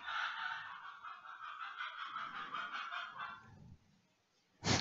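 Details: Rooster crowing at noon in the south of France, recorded indoors. One sustained, harmonic-rich crow lasts about three and a half seconds before fading, followed by a sharp click.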